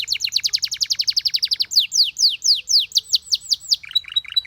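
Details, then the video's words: Canary singing a fast run of sharp downslurred notes at about eight per second, then slower, broader swooping notes, ending in short pure whistled tones. "The Singing Canary Tempts All The Canaries to Chirp"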